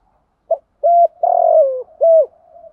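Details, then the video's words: A spotted dove coos: a soft clipped note, then three low hollow coos, the middle one longest and sliding down. This is a cooing call type used as a lure. "chim cu moi thuc gu gay goi"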